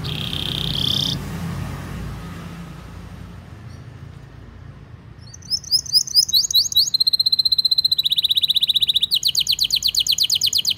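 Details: Canary training song for young birds: a short buzzy note, a quiet pause, then quick upswept chirps building into sharp, rapid rolling trills.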